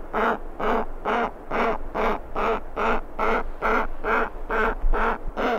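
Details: Giant petrel chick begging for food, with skuas and terns in the background: a steady run of low, nasal, wheezing notes, about two each second, evenly spaced and unbroken.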